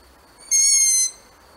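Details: A barn owl utters one sustained, rasping shriek lasting around half a second. It holds an even pitch throughout against a near-silent background.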